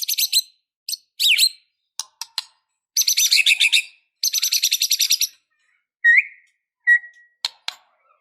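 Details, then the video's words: White-rumped shama, sluggish bird turned emotional fighter, singing constantly with a full repertoire of mimicked phrases; dense buzzy rattling trills and sweeping whistles, followed by short clear whistled notes and sharp clicks. "Murai batu Super Loyo tiba Tiba Serontak Emosi Fighter,Dengan Suara Murai Batu Gacor Full isian Ini"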